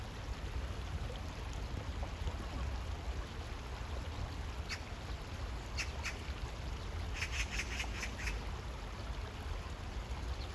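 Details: Oriental magpie by water in hot weather, with scattered faint harsh notes, then a quick series of about five rasping calls late on, over steady low background rumble.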